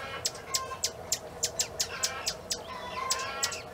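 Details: Swallow-tailed Hummingbird at a family smallholding in Planaltina, Federal District, Brazil, giving sharp, high, dry chips in a steady run, about three a second, with faint thin whistles of other birds behind.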